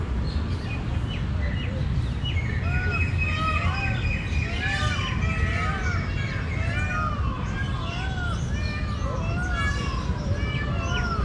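Large grey babblers give a chorus of overlapping, nasal, arched chattering notes, repeated steadily by several birds over a heavy low rumble of background noise.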